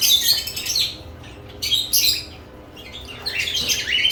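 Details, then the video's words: Lovebirds active around newly added nest boxes give bursts of shrill, high chirps and squawks in three clusters with quiet gaps between them, in a small indoor space. "Lovebirds add nest boxes activity & chirping sounds"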